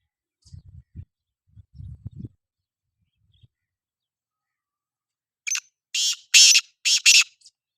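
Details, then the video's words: Black francolin calling: after some low soft thumps early on, a burst of five harsh, rasping, grating notes in a quick uneven phrase near the end, otherwise quiet. "Kala Teetar bolai | Kala Teetar ki awaz"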